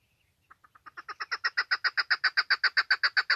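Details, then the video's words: Female chukar, a call used for hunting: after a faint note or two, soft clucks start spaced apart, then quicken and swell into a loud, regular stream of rasping chuck notes, about seven per second, in an otherwise quiet background. "Female chukar best voice For hunting"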